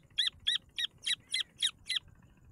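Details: Grey francolin chicks calling: seven short, sharp, high chirps in quick succession, roughly three per second, evenly spaced over a quiet background.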